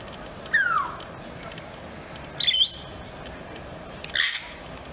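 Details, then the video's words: A grey parrot at Novosibirsk Zoo, 12 July 2024, gives three whistles over five seconds: a clear falling slide, a higher bent whistle, then a harsher two-toned note, over a steady background hiss. "Попугай жако поёт"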